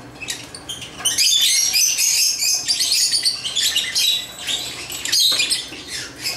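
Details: Pet African lovebirds at play with toys, giving fast, scratchy high-pitched chirps and squeaks in an uneven, continuous chatter, with a few sharp clicks and brief quieter gaps.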